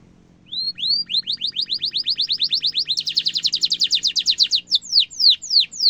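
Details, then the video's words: Canary song used to train young and adult canaries: rising whistled notes accelerate into a long rapid rolling trill that becomes denser and higher, ending in slower sweeping notes over a faint low hum. "kenari gacor ngeroll panjang cengkok mewah efektif untuk masteran burung kenari muda dan dewasa"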